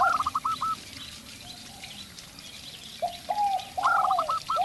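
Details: Local zebra dove, called perkutut lokal, singing against a decoy spotted dove: a bright rising note then a quick string of short clipped coos, with the lower, longer coos of the spotted dove between them.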